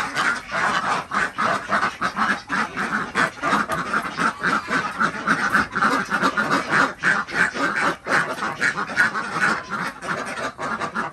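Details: Desi ducks on a village farm in Andhra Pradesh during morning egg collection: a flock quacks continuously, harsh nasal calls overlapping rapidly, several every second.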